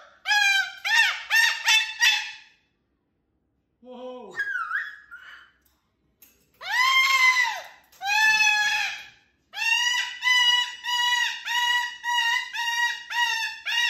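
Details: Loud, happy pet cockatoo calling indoors: a run of harsh, harmonic-rich squawks in quick bursts, a short gap, a scratchy slurred note, then long drawn-out screeches followed by a series of rapid repeated honking calls.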